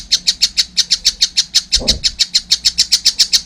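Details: Juvenile collared kingfisher chattering in a steady stream of loud, scratchy, high notes at an even fast pace, with a brief low knock partway through.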